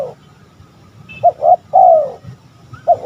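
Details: Spotted dove cooing, recorded as a lure to draw rival males: one phrase of two short coos followed by a long, drawn-out falling coo, with a low background hum and a faint high chirp.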